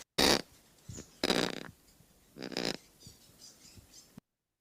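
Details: A female kakapo song: three harsh, raspy, broadband bursts about a second apart, each under half a second, with quiet room hiss between them.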